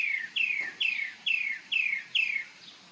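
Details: Bird singing and dancing in the morning on Marco Island, Florida: six clear, slurred whistles, each dropping in pitch, repeated about every half second.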